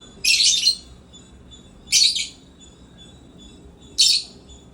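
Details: African lovebird in a happy mood at playtime, giving three harsh, high chirps spaced about two seconds apart over a quiet indoor background.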